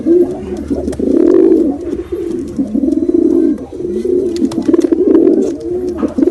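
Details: Male and female domestic pigeons cooing steadily, low warbling coos running almost without break, stronger swells at the start and end, some clicks behind.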